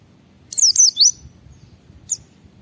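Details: Vigorous ngalas-style white-eye song meant to set other white-eyes singing: a fast run of three thin, high, down-slurred whistles, then a pause and one more short high note, with faint low rumble beneath.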